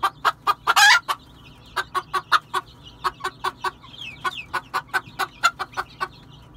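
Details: A red junglefowl's rapid, pulsing clucks with one brief harsh squawk near the start. Soft, thin, slurred whistles come in faintly partway through.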